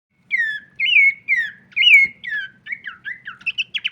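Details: Horsfield's babbler singing a full varied song while shaking its wings: a run of loud, clear whistled notes that slur downward, followed by quicker chirps rising in pitch and short rapid trills at the end.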